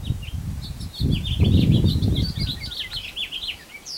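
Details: Birdsong recorded outdoors on 16 June 2020 near the summer solstice: a continuous run of quick high chirps and twitters with low wind rumble underneath.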